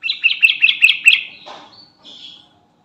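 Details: Garuda-type sooty-headed bulbul calling its companions: six bright, sharp chirps repeated about every fifth of a second, followed by a softer slurred note and a faint trailing whistle.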